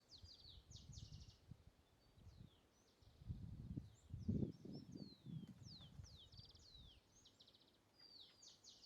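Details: Volcano hummingbird (Selasphorus flammula) on Irazú Volcano, Cartago, Costa Rica: thin, high, sharp chips and short downslurred squeaks, scattered about once a second, over steady low wind rumble.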